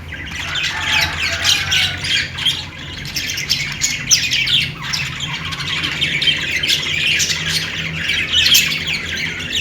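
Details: Budgies chirping: nearly ten seconds of continuous warbling chatter from several birds, scratchy squawks and thin chirps blending together with no clear gaps, over a faint hum.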